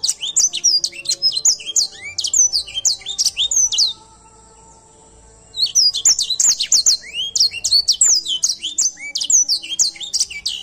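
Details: An Edel sanger canary delivers lively song: dense bursts of high chirps and down-slurred whistles for four seconds, a short silent gap, then another long, rapid stream of bright, repeated notes.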